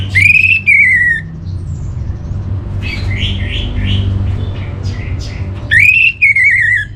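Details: Master song of the orange-headed thrush for caged birds in northern Bali: a bright rising-then-falling whistled phrase, a stretch of softer rapid chirps, then the same loud slurred whistle again; constant low hum behind.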